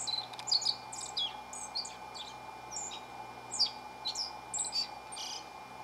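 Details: A single Black-faced Bunting perched on a stump beside a house on 28 March 2019, singing persistently for about ten minutes before flying off: bright, high chirping notes in quick varied bursts; faint insect-like hum underneath.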